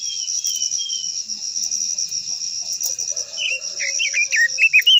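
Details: Long-voiced Japanese white-eye song used to provoke other birds to sing. A burst of sharp, bouncing warbles enters after three seconds. Faint notes come before it, and a constant high insect whine runs throughout.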